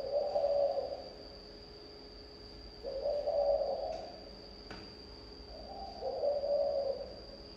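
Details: Thổ âm style song of a spotted dove: three low, resonant cooing phrases separated by quiet gaps of about two seconds, with a couple of faint clicks and a continuous high electronic tone.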